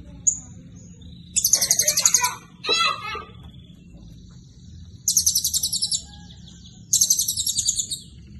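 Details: Blue-crowned hanging parrot singing actively in the 'isian cililin' style: three loud bursts of very high, rapid, buzzy pulsed trills, a shorter sweeping chattering phrase and a brief opening note, over a steady low hum.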